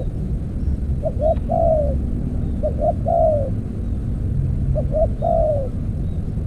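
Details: Spotted dove used to lure wild doves with an earthen trap. Three phrases are heard, each with two short coos and a longer descending note, over a constant low hum.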